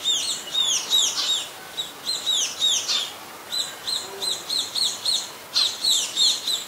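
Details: Scaly-breasted munia, a very common resident, recorded in Ubon Ratchathani, Thailand, on 26 March 2022: high, thin, downslurred whistled notes repeated quickly in short bursts of three or four, with brief pauses between runs.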